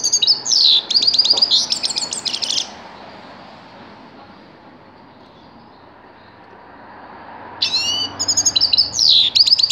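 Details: Two bursts of tinkling, twittering grey-crowned goldfinch song with quick buzzy trills, separated by a long quiet gap of about five seconds.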